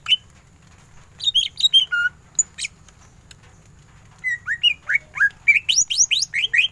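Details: Singing greater green leafbird in ngentrok style: scattered short whistles and chips at first, then a quick sequence of upslurred whistled notes repeated about every quarter second.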